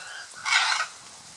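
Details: Scarlet macaws courting at Playa Blanca, La Palma, on Costa Rica's Osa Peninsula. One loud, rasping, broadband squawk lasts under half a second against a quiet, hissing background.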